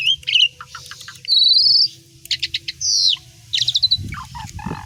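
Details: Asian pied starling pouring out a song laced with other songbirds' phrases: whistled notes, a long buzzy rattle, descending slurs and a rapid stuttering series, over a steady low background hum.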